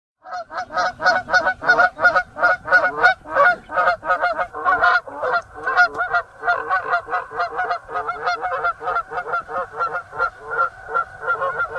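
Geese honk in a rapid, overlapping chorus of nasal, brassy calls, roughly three per second, steady throughout with no other sounds.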